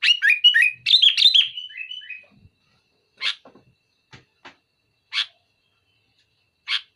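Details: Sooty-headed bulbul singing to pressure a rival: a rush of rapid, warbled descending notes, then a few isolated short harsh calls spaced by silence.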